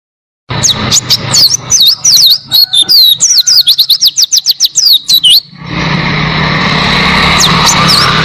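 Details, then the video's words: Oriental white-eye song used as a tutor recording for training cage birds: a fast series of high, sharply sweeping chirps for about five seconds, then steady broadband noise with a few faint chirps. "Masteran Pleci Gacor Buka Paruh Durasi Panjang Suara Jernih"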